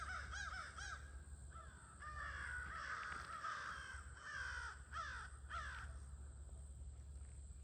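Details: Crows at a near-evening gathering in late August, some birds in view: harsh, hoarse caws overlap from several birds, with quick runs of calls at the start and a dense chorus through the middle, over a steady low hum.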